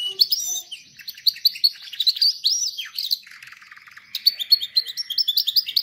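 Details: Canary singing to train canaries; bright high whistled notes and rapid chirps, a lower rattling trill in the middle, then quick repeated upslurred notes.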